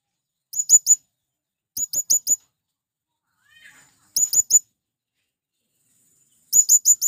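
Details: Male blue-crowned hanging parrot calling to draw in wild birds: four short bursts of three to four thin, shrill chirps, plus one faint lower squeaky note between the bursts.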